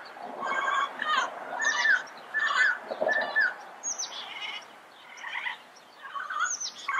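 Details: Yellow-headed amazon giving a busy run of harsh, squawking and chattering calls, some notes overlapping, with brief higher whistled notes between louder bursts.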